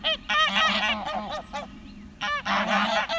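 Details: Farm guard geese fighting two wild Canada geese on a pasture: loud harsh honks in overlapping bursts, a quiet gap mid-way, then another burst of honking; a person laughs.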